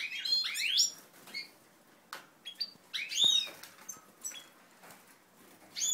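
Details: European goldfinches from ancestral domestic stock, recorded 20 March 2012 while being formed into breeding pairs, sing in quick tinkling bursts of liquid twitters and high upslurred notes every second or two, with soft wing flutters and clicks.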